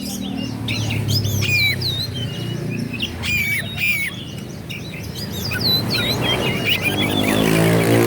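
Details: Oriental magpie-robin (kacer) in loud song meant to provoke rival birds: rapid, varied whistles and slurred upward and downward notes, dense and continuous, over steady low rumbling noise that grows toward the end.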